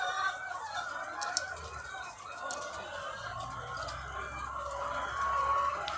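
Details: A farm of thousands of egg-laying hens gives a dense, murmuring chorus of clucks with a few sharp clicks and knocks and a low droning hum underneath.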